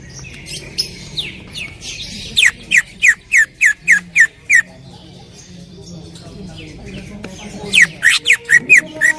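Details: Greater green leafbird in loud 'tembakan' song: a run of eight sharp downslurred whistles, a quieter chattering pause, then another fast burst of similar notes.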